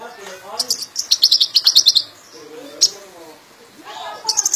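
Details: Sunbird singing energetically with its full range of notes: a rapid, very high, thin chattering trill lasting about a second, then an isolated sharp chip and another brief high trill, while a human voice murmurs in the background.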